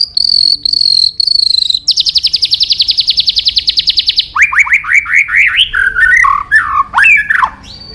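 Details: Murai batu or white-rumped shama, much sought by songbird hobbyists: three high whistled notes, a long fast even trill, then a series of loud swooping upslurred notes and varied warbled phrases.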